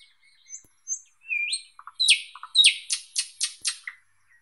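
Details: Thrush nightingale song: soft thin whistles building to a rising note, then five loud sharp downward-sweeping notes given in quick regular succession with faint low clicks between.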